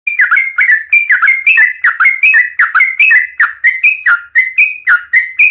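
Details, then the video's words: Yellow-vented bulbul (Pycnonotus goiavier) sings a lively, bubbly stream of short liquid notes, about one every second, rising and dipping in pitch, with no other sounds. "Burung trucukan gacor"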